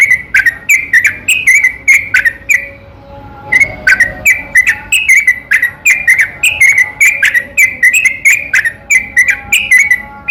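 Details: Yellow-vented bulbul, called trucukan, singing a long continuous lure song at night to goad lazy bulbuls; rapid bubbly whistles and clicks, a pause around the middle, then an unbroken rush of notes.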